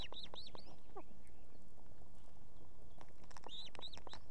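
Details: Osprey female at her nest in Estonia with two chicks, summoning the male to deliver fish in the evening. She gives quick runs of arched, high whistled chirps in two bursts separated by a pause, with a low wind rumble underneath.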